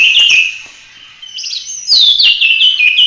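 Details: Oriental magpie-robin delivering a short full-roll 'tembak' burst for training other birds: clear whistled notes fading, then a strong falling whistle and rapid warbled phrases.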